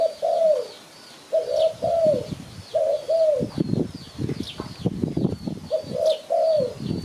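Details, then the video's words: Spotted dove cooing, played to lure birds for catching: soft, low two-part coos with a falling end, given in groups with pauses, over rustling bursts and faint high chirps of other small birds. "Sound Spotted Dove Malay"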